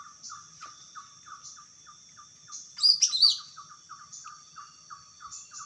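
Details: Wild greater green leafbird breaking into one loud, complex flurry of rapid high whistles between steady rows of soft repeated chirps, with a thin high insect-like whine in the background.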